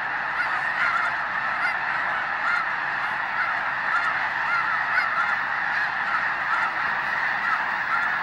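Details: Continuous massed honking of snow geese at the Hayton Snow Goose Reserve near Conway, Washington, the overlapping nasal barks of a large flock merging into an unbroken, even roar.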